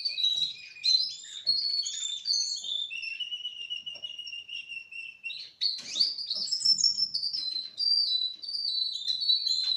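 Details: Four-month-old Russian canary in full song, a long flowing run of high warbles and trills, a steady held whistle for nearly two seconds, then a brighter burst of fast chattering notes and rolling trills to the end.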